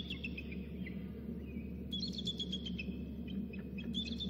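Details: Bald eagles at a nest seen on a close-up nest cam: the male calls from nearby with thin, high piping chirps in a quick stuttering series, and another eagle, a third, joins in fainter before he floats into the nest; steady low hum and wind rumble.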